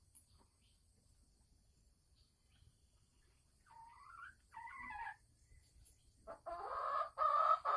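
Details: Red junglefowl hen from Sumatra, kept in a cage, cackling before egg-laying: after quiet, two short rising-falling notes, then a loud, harsh, drawn-out call at the end.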